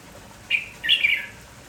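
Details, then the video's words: Lively red-whiskered bulbul from a village setting, heard in the morning, giving a brief chirp followed after a short pause by a longer warbled phrase that drops in pitch at the end. "MERBAH JAMBUL KAMPONG GALAK TAK HENTI BERBUNYI"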